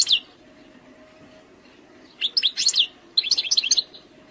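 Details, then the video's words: Algerian goldfinch, eastern sector song style, fault-free: a brief chip, then after a pause two short clusters of sharp, high tinkling notes with quick pitch jumps. "تغريد مقنين جزائري سكتور شرقي 🌶️🌶️ خالي من الأخطاء"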